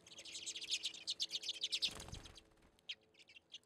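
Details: At a seed feeder in Anchorage, Alaska, on a February day, redpolls give rapid, high, zapping chirps for two seconds, then a brief low thump and a pause before a few scattered notes resume.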